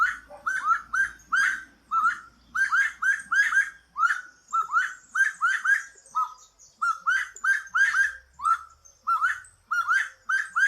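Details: Brazilian saffron finch song: rapid runs of bright, upward-flicking chirps in bursts of three to five notes, separated by short gaps, with a faint low rumble in the background.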